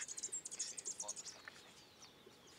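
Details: Collared warbling-finch in Peru. High, thin chirps come in a rapid run of about eight notes over the first second, then fade into softer twittering. Faint voices can be heard in the background.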